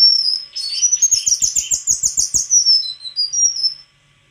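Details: White-throated flycatcher opening with a long high whistle, then a fast rattling trill of rapid notes, ending in a few thin whistled phrases.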